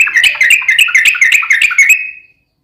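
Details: ['Trucukan, the yellow-vented bulbul, in energetic fighting song used to draw an answer from another bird: a dense two-second burst of fast chattering notes fading into silence.']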